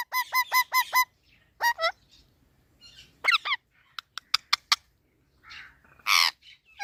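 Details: Talking parrot opening with five evenly spaced, clear harmonic calls, then curving voice-like notes, a string of sharp clicks, and a loud rasping squawk toward the end.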